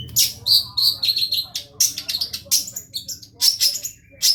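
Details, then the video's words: Long-tailed shrike singing vigorously as a masteran, a tutor recording; fast bursts of high, sharp chirps and short whistled notes, repeated in quick uneven succession with brief gaps, over a faint low hum. "masteran burung cendet gacor ajaib"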